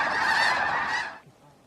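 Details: Large flock of snow geese at Bosque del Apache refuge, December, around sunset or sunrise, giving a thick wall of overlapping honking that cuts off abruptly after about a second, leaving quiet.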